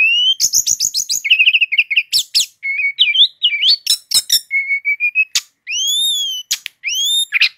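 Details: Brown-chested jungle flycatcher rolling on without pause, a loud, dense song: rapid warbled runs, clicks, flat and rising whistles, and smooth arched notes near the end, all clean against silence.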